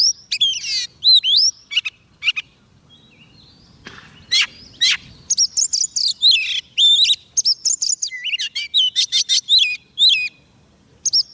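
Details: White-rumped shama in extended song to call wild birds, a long run of varied whistles, sharp chips, trills and looping phrases, busiest in the second half, after a brief pause near four seconds.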